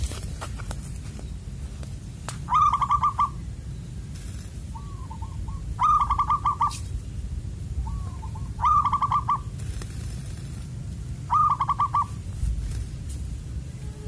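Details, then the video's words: A wild zebra dove with a loud 'koong' voice, singing near a glue-stick trap. Bright bursts of rapid ringing coo notes repeat roughly every three seconds, with softer short phrases between them and faint low background rumble. "Suwara Koong, lantang menggema"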